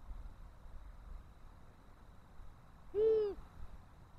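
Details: A single resonant low hoot from a long-eared owl, recorded 18 March 2024 while the owls appear interested in a nest, standing out clearly from a faint background rumble.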